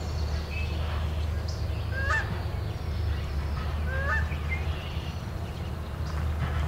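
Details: Canada goose near a noisy swamp spot during a morning bird recording: two nasal, two-part honks about two seconds apart, half buried under a steady low rumble, with faint calls of other birds.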